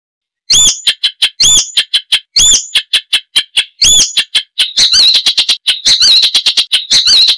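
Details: Icterine warbler song, described as loud, chattering and richly varied, with mimicry of wild birds: rapid harsh clicks and high chattering notes, with a rising whistled figure repeated four times early on, then dense, fast, squeaky warbling.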